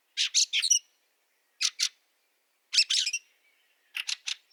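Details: Harsh, clipped chack notes of a Fieldfare recorded in snow at Liepāja, Latvia, March 2023, in four tight groups of two or three, the background otherwise silent.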